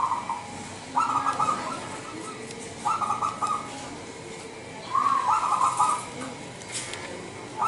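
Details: Lure song of a wild local zebra dove from Indonesia, meant to draw other doves. Rolling coo phrases of about half a second repeat every two seconds, each made of quick bubbling notes, over faint background noise.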